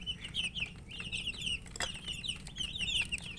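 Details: Baby chickens, colour chicks, chirping with thirst for water while eating; continuous high-pitched piping from several birds, quick downward peeps tumbling over one another, plus scattered pecking taps and one loud knock midway.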